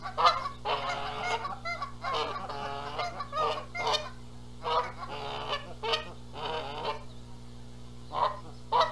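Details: Canada geese at a nest in Rogers Place, Charlo, Montana, on April 14, 2022, squabbling over who sits on the eggs while the gander flies in calling loudly; repeated harsh honks and cackles in bursts, with a steady low hum behind.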